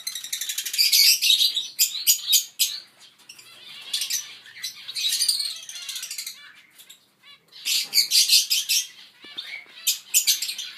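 A young zebra finch gives rapid, high, raspy cheeping calls in busy bursts.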